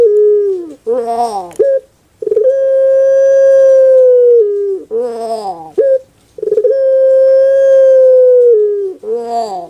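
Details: Puter pelung dove, a kept Indonesian breed prized for a soft voice: gurgling, wavering notes lead into long sustained hollow coos about two seconds long, the pattern repeating twice with brief clipped calls between.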